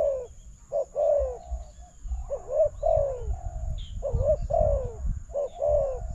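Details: Spotted dove singing toward a decoy bird at a freshly set trap enclosure; soft mellow coos in two-part phrases, a brief note then a drawn-out descending one, repeated several times over low rumble.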